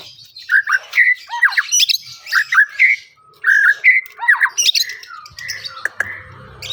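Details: White-rumped shama (murai batu) singing: rapid bursts of rich, slurred whistles mixed with harsher squawky notes, phrases tumbling in quick succession with short pauses, followed by a faint low hum at the end.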